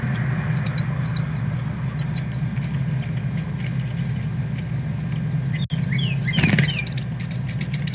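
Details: Northern cardinal fledglings learning to fly after leaving the nest, 13 August 2020, live stream: a continuous scatter of high, thin chirps, a sharp click, then a brief rushing sound and renewed rapid chirping.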